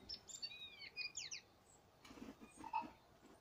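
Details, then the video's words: Short song passage from a tui at Waikouaiti: a quick series of thin, high, sliding whistles descending in steps, followed by a noisy rasp and a soft lower whistled note, with faint background hiss. "Tui in song at Waikouaiti"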